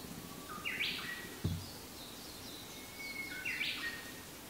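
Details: Chinese hwamei on 2 May 2015, carrying grass stems and dry bamboo leaves into a thicket, perhaps nest-building; two brief, bright phrases of slurred whistled notes about three seconds apart, over outdoor noise and a dull thump.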